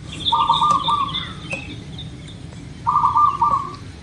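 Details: Local zebra dove from Indonesia, played as a lure so birds start singing quickly: two rolling, trilled coo phrases about two and a half seconds apart, with faint high chirps from other birds behind.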